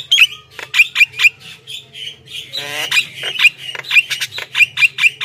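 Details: Javan myna singing to lure wild birds: repeated short bent whistles mixed with harsh chatter and a brief rattling burst midway.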